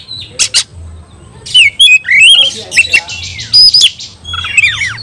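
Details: Oriental magpie-robin in fighting song, meant to provoke rival magpie-robins: sharp clicks, then loud warbled whistles sliding up and down, interleaved with buzzy rasps and a final falling whistled phrase.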